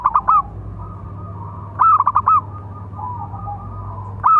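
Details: Big-voiced local zebra dove calling to train and provoke other doves: three crisp bursts of four or five quick stuttering coos, each followed by a soft trailing note, over a low hum.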